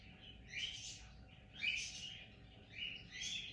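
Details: A sleepy pet cockatiel gives three soft, raspy, high chirrups, roughly one every second.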